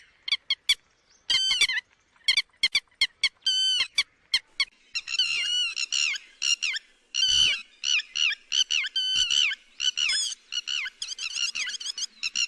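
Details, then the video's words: Lapwing call played to lure birds into nets: scattered loud, harsh, shrill notes that thicken into dense, rapid, overlapping chattering bursts. "Tiếng chim te te mỏ vàng cực nhậy .đánh lưới chuẩn nhất"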